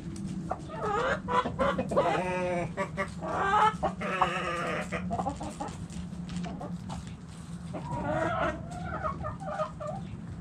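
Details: Backyard hens and roosters in the coop, bursts of rapid harmonic clucking from several birds, separated by quieter stretches over a steady low hum.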